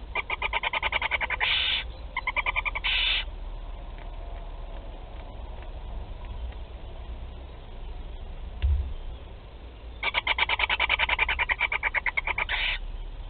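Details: Barn owl chicks at the first feeding in Théding, France, 8 July 2020: two bouts of fast stuttering ticks running into hoarse hisses, separated by a quieter stretch with scattered clicks.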